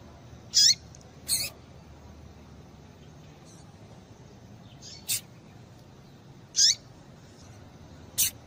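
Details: Female double-collared seedeater call, used to excite males into singing: short, high, sharp notes given singly at irregular intervals, about five in eight seconds, over a quiet background.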